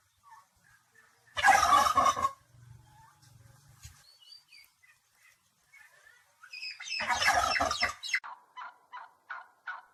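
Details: Two loud, harsh, rattling turkey gobbles about five seconds apart, with soft clucking notes between them and a string of short clucks trailing after the second burst.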